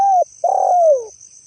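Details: Spotted dove call used as a lure: a short mellow coo, a brief pause, then a longer coo sliding gently downward, over a steady high-pitched whine in the background.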